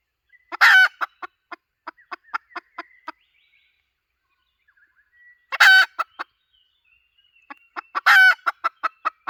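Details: Luring call of a hen: three grating squawks, each followed by brisk trailing clucks, separated by quiet gaps of a second or more.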